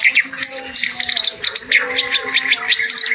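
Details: Short stretch of vigorous clamorous reed warbler song with varied material for tutoring other birds. Sharp, squeaky notes are delivered in a quick pulsing series, several per second, over a faint steady low tone.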